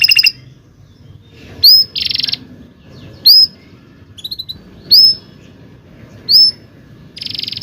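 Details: Canary singing long rolling song, used as a tutor for young canaries learning to sing: high, sharp rising chirps every second or two, with short buzzy rolled bursts between them and a low background hum.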